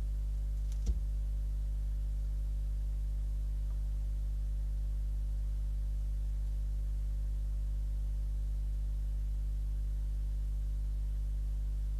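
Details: A steady low electrical hum runs throughout, broken only by a single brief click near the start, with no animal calls.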